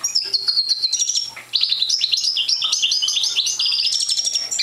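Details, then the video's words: A young parva European goldfinch, still short of full song, opens with a thin sustained whistle, then after a pause pours out a dense, continuous stream of high jingling twitters and buzzes; faint low hum behind. "Young Parva Goldfinch singing"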